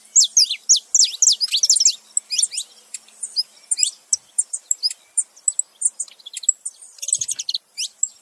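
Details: A saffron finch pair of male and female gives energetic, high, overlapping chirps in quick bursts, then steadier single tweets, with a final flurry near the end.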